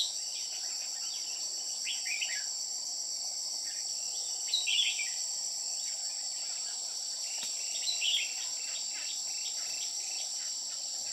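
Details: Red-whiskered bulbul, white-cheeked, singing at a trapping site: short bright warbled phrases with quick rising and falling notes, in scattered bursts, over a loud steady high insect drone.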